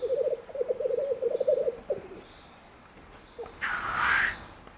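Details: Courting male black grouse in the Bavarian Forest, Germany, giving a low rolling bubbling trill for two seconds, then a short pause and a harsh, rushing hiss rising and falling.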